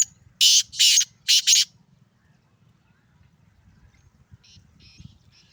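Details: Male black francolin (kala teetar) calling: three harsh, grating bursts in quick succession, then a run of fainter, distant scratchy notes over a low rumble.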